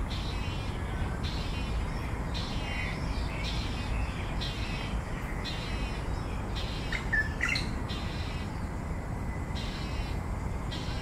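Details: A young Malayan night heron that has already left the nest keeps begging food from its parents with harsh, hissing rasps about once a second, over a constant low rumble and a few brief higher chirps.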